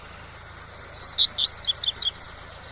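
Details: Double-collared seedeater (coleiro pardo) singing the tui-tui style song used to teach young birds: a quick phrase of about a dozen high, sharp chirped notes lasting under two seconds, over a steady soft rushing of waterfall water.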